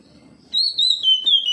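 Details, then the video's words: Oriental magpie-robin answering another of its kind with a sustained clear whistle, wavering in steps and gently falling in pitch, after a brief quiet lead-in. "KACER NGEPLONG KACER LAIN LANGSUNG RESPON NGEPLONG BONGKAR ISIAN"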